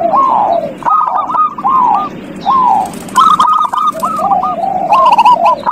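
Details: Overlapping zebra dove song used to coax a quiet bird into singing: slurred falling coos open, then staccato hooked notes follow in rapid runs from more than one dove, over constant low hiss.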